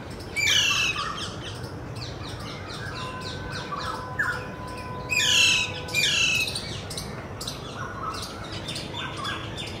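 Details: Alexandrine parakeet (Psittacula eupatria) in Kolkata, India, giving harsh, grating screeches in short bursts, several close together, over a faint steady hum and background noise.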